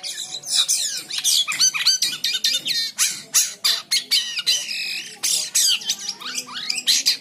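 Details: Chatty white-shouldered triller (Lalage sueurii), used as long training audio for other birds, sings a fast, unbroken run of high chattering notes, sharp upslurred whistles and buzzy trills, several each second.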